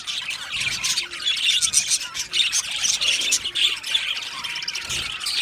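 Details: Many budgerigars in an aviary chatter and sing together, producing an unbroken layer of high scratchy warbling with scattered sharp squeaks throughout.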